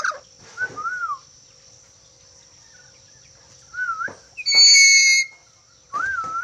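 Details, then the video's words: Black-capped lory giving short, wavy, slurred whistles that rise and fall, repeated several times, broken by one loud, harsh, rasping screech; a steady high background hum throughout. "Siulan burung nuri kepala hitam"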